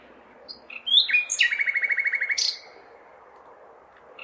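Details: City-recorded common nightingale on a May night, singing for a mate: a single phrase of a few high whistles, then a quick run of about a dozen identical repeated notes, with urban hum in the background.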